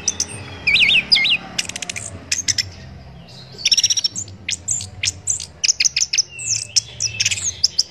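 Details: Orange-headed thrush song for training songbirds: an opening wavering whistle, bursts of dry clicking notes, a brief quiet gap, then quick chirps and looping whistles; steady faint hum behind.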